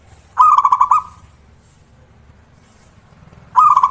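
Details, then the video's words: Every-morning calling of a zebra dove: two loud bursts about three seconds apart, each a short rising note followed by a fast, even string of clipped cooing notes, with soft low background noise. "Pancingan suara burung perkutut gacor | zebra dove still calling every morning"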